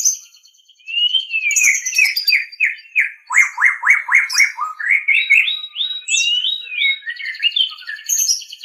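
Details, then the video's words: White-rumped shama singing for use in training captive birds: a rapid string of downward-slurred whistles, followed by rising paired notes in quick rhythmic succession, with high twittering overtones throughout and no other sounds. "Ocehan Suara Burung Murai Batu"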